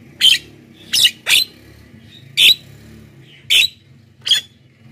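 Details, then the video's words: Jalak kebo, the black-winged myna, singing energetically as a lure and training model for lazy birds: six harsh, screechy notes roughly once per second, with a soft low hum behind. "masteran JALAK KEBO super gacor,pancingan untuk bahan dan jalak yg malas bunyi"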